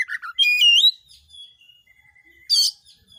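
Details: Oriental magpie-robin song intended to set other magpie-robins singing: a few short chirps, a full rich whistle, a thin level tone held briefly, then a short harsh burst.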